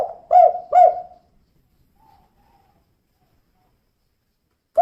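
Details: Female spotted dove calling, two quick soft coos in succession followed by near silence and a faint trailing note.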